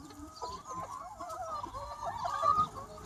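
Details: Chickens in a free-range flock of about 200 birds on a sunny spring day, a brief stretch of busy overlapping clucking with a louder, higher squawk near the end.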